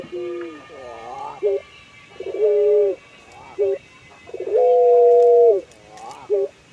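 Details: Singing puter pelung dove bobbing its head, an ornamental breed known for long melodious calls: rising-falling warbled coos mixed with clipped short notes and two sustained level hoots, the second with an upward step.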